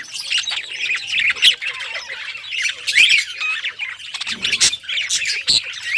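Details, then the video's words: Parakeet singing, described as happy: rapid, uneven phrases of chirps, scratchy squawks and whistled squeaks, rising and falling in loudness, with bursts roughly every second or two. "Budgie singing happy | Birds chirping | Parakeet happy life"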